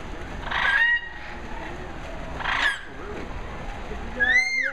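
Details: Chatty parrots at a resort in Mexico in November 2016 giving loud raspy squawks about two seconds apart, then a clear rising and falling whistled note, with steady background noise.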